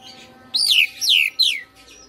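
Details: Home-kept Oriental magpie-robin in persistent, combative singing form, showing off its learned song fillers: three loud, clear whistled notes, each sweeping down from high to lower pitch, spaced about half a second apart, over a faint background hum.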